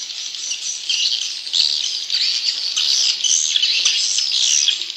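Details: Swiftlets inside a swiftlet house fill the air with a dense, continuous chorus of high, dry chittering and twittering calls, many birds overlapping with no pauses.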